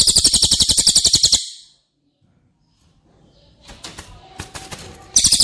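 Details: Cililin song recorded as training material for caged White-rumped shama: a dense, rapid trill of high, sharp notes that ends after about a second, followed by quiet clunks and knocks before the trill starts again.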